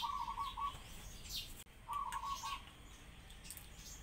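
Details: Two drawn-out pigeon cries, with sparrows also present: steady mid-pitched notes of about three quarters of a second each, separated by a brief silent gap, with high sparrow chirps in between.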